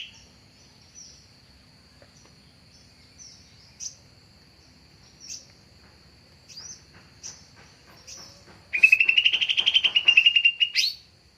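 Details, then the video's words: Lure recording of a greater green leafbird used for bird trapping: scattered faint chirps and ticks, then a loud two-second buzzy rattle that rises and levels off near the end. "Suara Pancingan/dan suara PIkatan Cucak Ijo"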